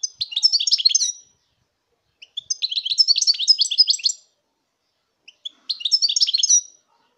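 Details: Song of a European goldfinch from 2019, three separate phrases of about a second each, each a quick jangle of high, liquid twittering notes, separated by short pauses with a few single chips.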